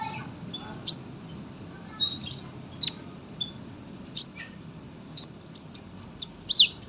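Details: Sunbird kept to tutor other songbirds, giving spaced thin whistles and sharp high chips, then a quicker cluster of piercing notes near the end, over quiet background hiss.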